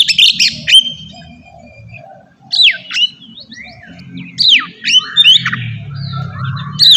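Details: Ngeplong-style Oriental magpie-robin song, meant as a lure for untrained birds. Separate bursts of sharp, swooping whistles and chirps, with pauses of about a second or more between phrases and faint low background hum.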